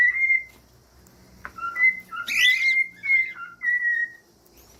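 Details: Cockatiel whistles: clear, level, pure-toned notes in short separated phrases, one interrupted by a brief broadband squawk, in a quiet indoor setting.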